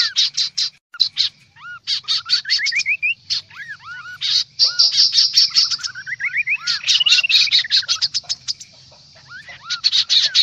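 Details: Lively, noisy lure calling of the kaso-kaso bird: harsh buzzy chatter in repeated bursts, with curved whistled notes and ladder-like rising whistle sequences, briefly easing near the end.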